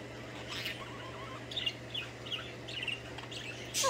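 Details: A female pet budgerigar singing, a song she learned from the males in the flock; soft, wavering warbled notes and short chirps in a quiet, rambling phrase, ending with a louder scratchy burst.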